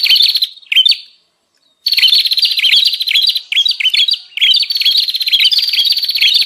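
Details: Bar-winged prinia lure call used to attract wild birds: rapid buzzy trilled bursts with sharp rising-falling chirps, repeated in runs broken by a brief silence near one second.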